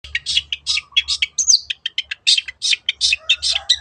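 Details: Long-tailed shrike (cendet) in the 'teot teot' style, used as a lure so other birds sing: rapid harsh, buzzy chattering notes, about two or three per second, with brief whistled slurs mixed in and a faint low hum underneath.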